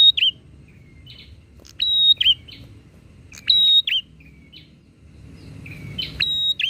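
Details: Bar-winged prinia in full voice, exchanging song to provoke other prinias: about five phrases of a level high whistle ending in a curled downward note, with soft lower whistles in the pauses.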